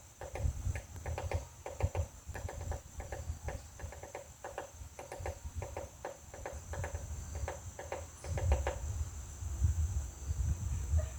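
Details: Woodpecker pecking a butterfly house delivers runs of rapid, uneven wooden taps in bursts for about nine seconds, then stops, leaving only a faint shrill insect hum.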